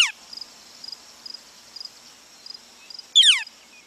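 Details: Northern Flicker call from Missouri, a common and diagnostic sound often heard more than the bird is seen. A loud, harsh, downward-sweeping note rings out near the end, with a brief similar note at the start and faint insect-like ticking throughout.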